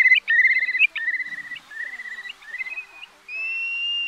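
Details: Eurasian curlew giving a quick run of clear, slurred whistles, then a long, steady, slightly rising whistle, with no other sounds; a Vietnamese lure call for night net-trapping of migrating birds, August 2024.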